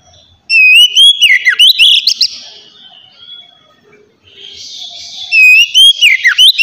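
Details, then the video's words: Oriental magpie-robin in the relaxed ngeplong song style, kept to prompt untrained magpie-robins into singing. Two bursts of loud, rich whistling with quick slurred and sweeping notes are split by a quieter fading stretch between three and four seconds. "kacer ngeplong santai ampuh merangsang kacer bahan agar cepat bunyi"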